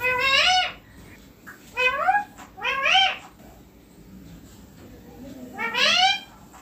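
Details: Green ringneck parrot, a pet on a neem tree, uttering four rich, wailing, rising squawks in two close pairs and then a lone longer one after a pause, with a quiet room background.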